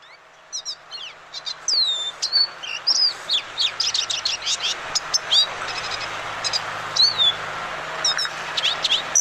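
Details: Lesser Goldfinch pours out a long, rambling song of high, sweet whistles, chatters and slurred notes, weaving in mimicked calls of other birds such as a flicker.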